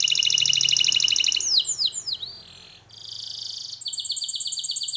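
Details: Singing canary, recorded as training song: a fast bright trill, three sweeping downslurred whistles, a soft buzzy tour, then another quick run of clipped repeated notes.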